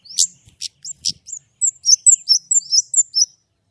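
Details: White-rumped shama song opening with a few sharp, piercing chips, then a brisk string of high rising and falling whistled phrases.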